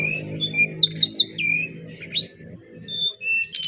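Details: Adult brown-chested jungle flycatcher kept by an owner, singing: sparse clear high whistled notes, some slurred downward, interspersed with short chirps and pauses, over a steady low hum.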